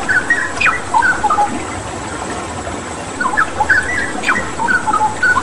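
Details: A straw-headed bulbul in full song, used as training material for pet birds: two bursts of rich, fluting whistles separated by a brief pause, set against steady flowing-water noise.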